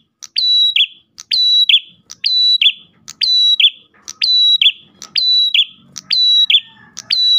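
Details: Lure song of an Ash tailorbird meant to draw other tailorbirds: crisp click, high flat whistle and a rasping downslurred tail, phrase after phrase roughly every second, with faint low rumbling underneath.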